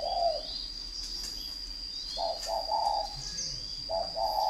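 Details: Spotted dove of the fighting kind, from a farm in Ba Vì district, Hanoi, Vietnam, with broken bursts of soft low coos separated by pauses, alongside a steady high whine and light twittering of small birds.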